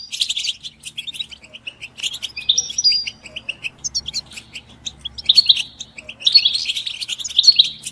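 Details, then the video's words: Collective goldfinch twittering used to rouse silent caged males into song: quick high liquid chirps and trills in clusters, a brief buzzy note around three seconds, livelier bursts toward the end. "بتبتة الحسون تحفيز الحسون على التغريد والهيجان علاج صمت الحسون goldfinch stimulation"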